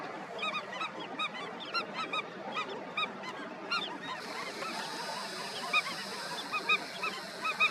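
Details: Calls from an Indian skimmer breeding colony, with many birds giving short harmonic yelping notes in rapid, irregular bursts, then sparser single notes, all over a continuous hiss.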